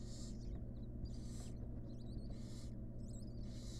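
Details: Wild barn owl family in a nest box, sixth and final chick newly hatched: a series of drawn-out hoarse hisses about once a second, interleaved with high twittering squeaks, constant low background drone.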